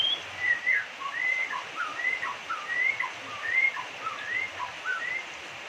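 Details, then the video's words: Indonesian white-rumped shama singing a strange song said to repeat the name of the nation's top figure, Jokowi: a string of clear, slurred whistles, each rising then dipping, delivered in quick succession against a faint hiss. "Murai Batu Gacor Suara Aneh, Sebut2 Nama Orang Nomor Satu di Indonesia ( JOKOWI )"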